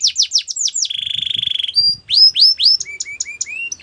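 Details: Training song of a canary: fast falling notes, a low rolling trill held for about a second, then spaced rising whistles and softer lower slurs.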